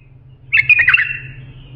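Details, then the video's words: Single bulbul phrase for training young bulbuls: a sudden burst of mixed warbled notes trailing off into a thin fading whistle, over a faint low hum. "بلبل للساناته إبداع يفيد للتخريج صغار بلابل"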